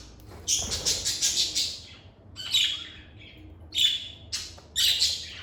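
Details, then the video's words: Pet lovebirds recorded in a calm indoor setting, chirping and singing: bursts of rapid high, harsh chirps in quick series, separated by short pauses, with single sharp squeaks in between. "Lovebird Singing & Chirping Sounds"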